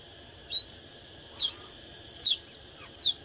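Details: Oriental magpie-robin in fired-up display song: four separate short, high, downslurred whistled phrases spaced roughly a second apart, over a constant thin whine.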